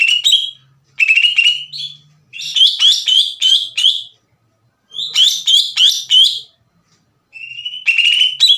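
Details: Spirited Greater green leafbird song used to stir up other leafbirds: clusters of fast scratchy notes and whistled slurs in phrases of several seconds, separated by silent pauses.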